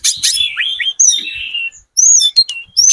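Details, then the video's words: Speckled Sunda robin lure song: harsh buzzy opening notes, descending slurred whistles and a drawn-out warbled phrase, a brief gap, then very high clear whistles and sharp chips. "PANCINGAN TLEDEKAN GUNUNG TROTOL SUPER GACOR, burung manapun pasti nyaut"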